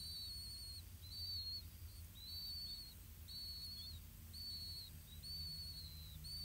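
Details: Blue-winged pitta at its nest, parents bringing earthworms to feed growing chicks: short, thin, high whistles repeated about once a second, over a low background rumble and a steady faint high hiss.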